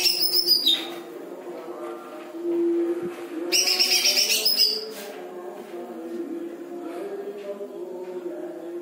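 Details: Greater green leafbird song filled with lovebird-style phrases, heard as two brief bursts of high, rapid twittering notes separated by a quieter stretch, over a constant low droning hum.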